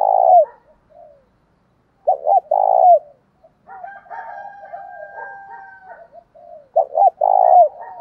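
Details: Spotted dove calling to provoke a fight. Loud, throaty coos open the phrase, then a steady, level whistled tone with soft coos underneath. The loud double coo and long coo return at the end.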